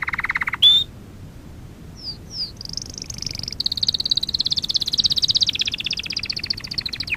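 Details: Canary song used for training: a buzzy low trill, a sharp rising whistle, brief pauses, then a long rapid rattling trill of high pulsed notes.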